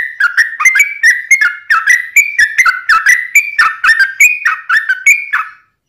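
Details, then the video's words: Yellow-vented bulbul giving a lively long 'ropel' song: rapid fluty whistles sliding up and down in close succession, ending in silence. "SUARA trucukan gacor ROPEL PANJANG"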